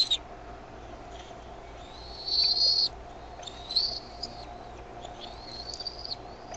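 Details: Decorah bald eaglets on 13 May 2015, getting noisier as food arrives from the mother; a few drawn-out, high, slightly wavering whistles, the loudest near the middle, then softer thin notes.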